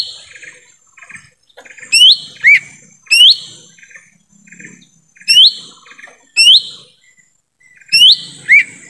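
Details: Lesser green leafbird calling in forest, sound intended to attract wild birds: paired rising whistles, each followed by a lower slurred note, repeated every one to two seconds amid quiet chatter.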